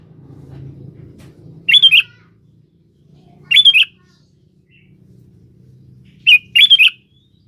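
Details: Lure song of a vigorously singing sooty-headed bulbul calling a rival: three short chattering whistled phrases spaced roughly two seconds apart, the last split in two, above a soft low murmur.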